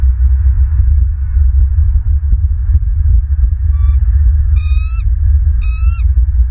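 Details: Bald eagle at its nest in Southwest Florida, picked up by a nest camera on 14 December 2022 at 05:40; three short, thin, slightly rising whistled notes near the end, set against a loud steady low hum and faint ticking.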